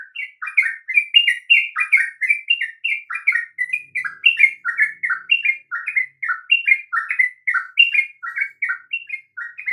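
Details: Sooty-headed bulbul song, played to provoke sluggish or stuttering bulbuls into full singing: a steady run of short, mellow, slurred whistled notes in bouncing two- and three-note phrases. The phrases follow each other with no pause against a quiet background.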